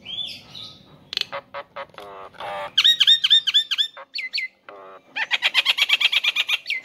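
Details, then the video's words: Male Nias hill myna calling a female, a varied run of loud harmonic notes: buzzy rattles, then a fast string of ringing, downward-hooked whistles, short sharp 'tut' notes, and a closing rapid series of bright repeated notes. "Jalak Nias Jantan Memanggi Betina Agar Gacor"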